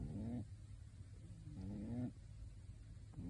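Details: Pet pigeon wearing a bird suit snoring while asleep: two low, nasal, rising breaths, each about half a second long, separated by quiet pauses over a steady low hum.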